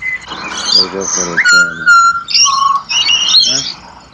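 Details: Australian pied butcherbird serenade: short harsh nasal notes, then level piping whistles and a lower warbled phrase, with high twittering above.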